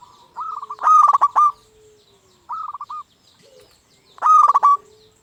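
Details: Zebra dove of a local type, sung as a lure to stimulate other birds. A long, loud, stuttering coo-trill is followed by a shorter quieter rippling phrase, then another powerful trilled burst.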